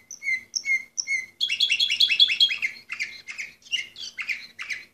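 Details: Orpheus canary, bird number 24 from 2014, opens with three clear whistled notes, then rapid rolling trills of downslurred notes repeated quickly, followed by slower buzzy chirps; no other sounds.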